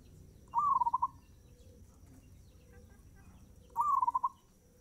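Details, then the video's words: Fast-tempo zebra dove song: two brief phrases about three seconds apart, each a rising note breaking into a quick rattling series of soft coos, over a quiet low hum. "Suara perkutut gacor tempo cepat"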